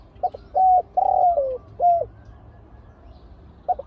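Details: Two fierce large doves, called spotted dove, facing off during decoy trapping. Short, low hooted coos come in quick pairs, then a longer drawn-out coo that slides downward. A brief coo follows after a pause.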